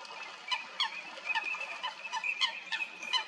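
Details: Coots fighting at Stodmarsh in Kent, UK, give short, sharp, nasal calls at an uneven quick pace, some doubled, with a thin high tone running underneath.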